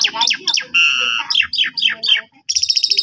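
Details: Jalak suren lure song used to make other starlings answer: quick descending chirps in a string, a steady buzzy note, more falling chirps, then a fast repeated high stutter.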